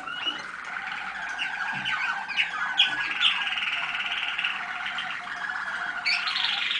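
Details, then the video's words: Young Waterslager (Malinois) canary from 2010, recorded at a listening session on 25 November 2010, delivering continuous bubbling, rolling song with warbled trills and quick rising notes, steady and unbroken throughout. "канарейки . waterslager. malinois."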